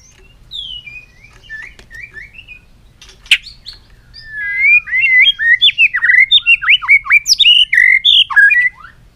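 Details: White-rumped shama singing many voices: a few soft scattered whistles and a sharp click, then a loud, fast cascade of varied warbled and swooping notes building to an energetic finish.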